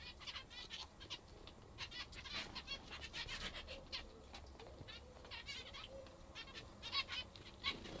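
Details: Several pet zebra finches feeding on a favoured food keep up soft, overlapping nasal call notes throughout, with faint clicks of pecking and a low background hum.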